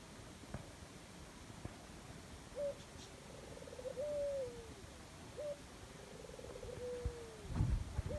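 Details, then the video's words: A dove in jungle gives two low cooing phrases about three seconds apart, each a short note, a soft rolling coo and a long falling coo, over faint rustling and knocks. "Dove birds sound"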